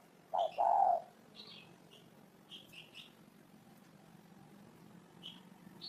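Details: One loud spotted dove coo phrase, a short note then a longer rich hoot, followed by several seconds of quiet with scattered high chirping from other birds.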